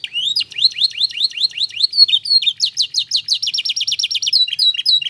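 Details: Singing canary used to set off answers from other canaries: brisk series of upward-sweeping chirps, changing pace mid-phrase into a denser, louder trill of high repeated notes.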